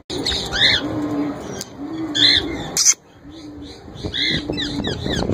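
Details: Young male plum-headed parakeet, a kept bird with its head turning cherry and a red wing patch coming in, trying to talk: harsh, nasal squawks with strong harmonics, about six bursts over five seconds, over steady background hiss.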